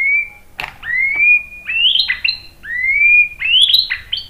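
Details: Luring song of a white-rumped shama aimed at making other birds respond: long rising whistles alternating with sharp upswept notes, delivered in slow, spaced phrases with a click early on.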